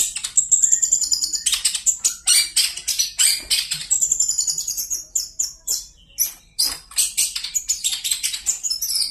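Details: A long-tailed shrike sings energetically. Piercing high whistles and thin trills mix with chattering, scratchy phrases, broken by short pauses.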